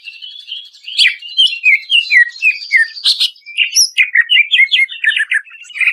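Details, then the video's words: Greater green leafbird singing in processed masteran audio used to stir birds into song: a run of clear descending whistled notes, then louder rapid chirps and slurs, over a faint high continuous tone. "SUARA CUCAK IJO NGPLONG BIKIN KAGET! PALING AMPUH UNTUK BURUNG STRESS!"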